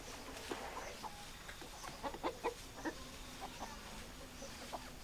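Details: Chickens clucking in a flock: short, soft clucks scattered irregularly through the clip, a few louder pulses near the middle, over a steady low hum.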